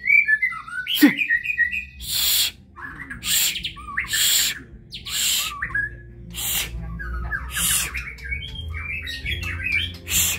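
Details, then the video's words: White-rumped shama singing in kebyok style: quick phrases of varied whistles and warbled notes, some rising, others falling and trilled, broken by loud broadband rasping bursts repeating about every second. "Murai batu (Kebyok)"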